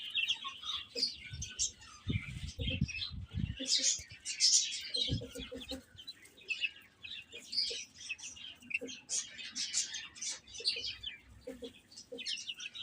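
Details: Chicks eating and playing, giving bright high-pitched peeps throughout, with bursts of low, rapid clucking pulses and some dull knocking sounds early on.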